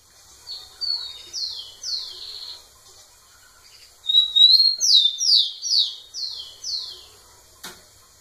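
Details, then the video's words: A male rufous-collared sparrow singing at a female gives two high, clear phrases of sweet downslurred whistles, the second opening on a rising note, followed by a brief click. "Tico tico cantando muito na cara da fêmea"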